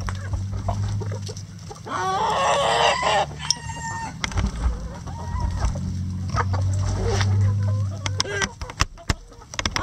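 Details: Chickens in a coop cluck in irregular bursts under a steady low hum, with a brief crow-like harmonic call near the start and scattered sharp knocks.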